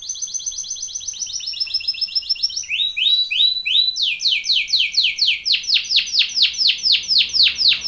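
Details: Canary song played for training birds: fast trilled tours of repeated notes, first high level trills, then short rising slurs, then a loud run of descending sweeps about twice per second.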